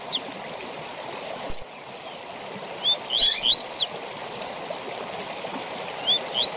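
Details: Tui tui zel zel song of a double-collared seedeater, intended to train captive birds: sparse high notes, then a dense cluster of buzzy sweeps midway, with faint rising whistles at the end, over a steady hiss.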